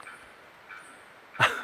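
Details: A Bearded Bellbird, heard in November 2017 on a birding trip to Barbados, St. Lucia and Trinidad, gives one loud, explosive, clanging 'bock' near the end, after fainter notes. A thin high insect whine runs throughout.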